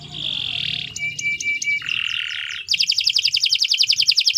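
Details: Canary singing long 'gacor' song for tutoring birds; harsh buzzy phrases alternate with thin whistled pulses before a fast, ringing trill takes over.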